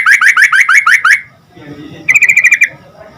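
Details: Sooty-headed bulbul in lively song used to make other bulbuls answer quickly: two fast bursts of about seven or eight bright, sharply rising notes, delivered in rapid succession and separated by a short pause with faint low background noise.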